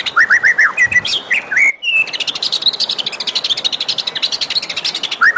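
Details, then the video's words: Morning singing by a white-rumped shama: quick downslurred whistles, a brief break, then a long fast chattering trill of high notes ending with renewed whistled slurs. "suara merdu murai batu di pagi hari"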